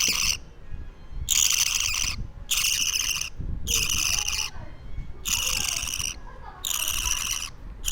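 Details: Baby budgie two weeks old producing rough, noisy rasping bursts of about a second each with irregular pauses, over soft indoor background rumble.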